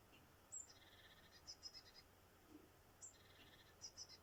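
A Eurasian blue tit sings very high, thin notes followed by a quick run of lower, softer notes, twice in four seconds, over a faint hiss.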